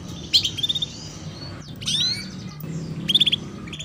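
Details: Female canary chirping 'cuit cuit' to encourage young birds to sing: a rapid trilled burst, a long rising whistled sweep, then another quick trill, with low hum underneath.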